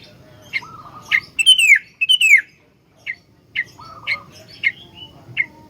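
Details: Sooty-headed bulbul singing constantly, a full-song bird used to lure and train other bulbuls. Clusters of quick chirps, two loud downslurred whistles, a lower wavering note, then a run of evenly spaced short chirps.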